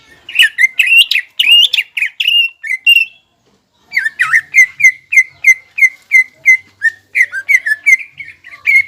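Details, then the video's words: Greater green leafbird in full 'gacor' song, used as a lure to rouse other leafbirds into highly excited singing; loud whistled phrases with sliding, warbled notes, a brief pause, then a fast run of repeated sharp whistles. "CUCAK IJO GACOR MEMANCING BIRAHI AGAR CUCAK IJO LAWAN JAMTROK HIPER TETAP TERKUNCI"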